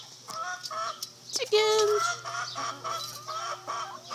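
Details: Neighbouring chickens calling: drawn-out nasal clucks and a longer wavering squawk near the middle, several birds overlapping, with a constant low hum and hiss behind.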